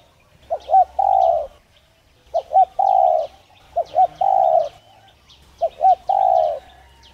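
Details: Cooing spotted dove used to prompt other doves to call. Four phrases roughly every 1.8 seconds, each a quick double hiccup note leading into a drawn-out mellow coo. Distant small birds chirp faintly.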